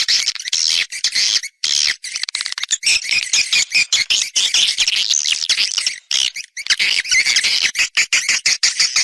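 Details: Swiftlets in an external sound recording: continuous high, scratchy twittering and chirping with rapid flickering pulses, interrupted by two short silences.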